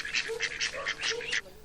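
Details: A pet duck in Khlong Sam Wa, Bangkok, one of two raised from young and described as constantly grumbling and territorial, gives a rapid run of six harsh, nasal quacks, about four to five a second, over a faint low hum.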